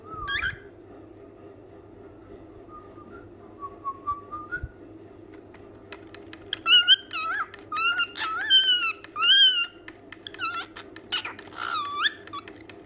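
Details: White pet cockatiel whistles clear, bending notes that break into quick, chattering, speech-like phrases, speaking "Mian Mithu".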